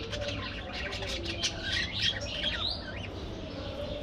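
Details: Budgerigars in an aviary, chirping parakeets in flight and at play: overlapping warbled chirps and wavering whistles at mid-high pitch, a busy chattering flock with steady low background hum.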